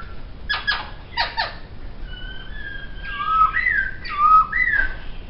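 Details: Laughingthrush singing in captivity: two pairs of sharp buzzy downward strokes, then soft level whistles and a series of looping, rising-and-falling whistled phrases, moderately quiet against a low background hiss.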